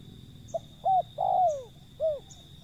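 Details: Single phrase from a wild zebra dove: a brief soft note, an arched coo, a long coo sliding downward, and a last curved coo, with a faint high hiss in the background.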